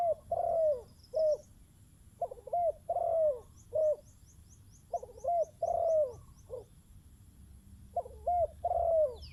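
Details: Spotted dove by a decoy bird repeating its cooing phrase four times at steady intervals: a short note, a long downward-curving coo and a clipped final note. Faint high chirps sound in the background.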